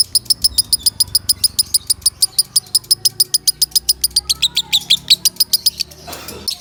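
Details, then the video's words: A lovebird, recorded loud to train other birds, delivers a steady, rapid string of shrill chirps that grows rougher and denser toward the end, ending in a short noisy burst. "Suara Kencang Lovebird"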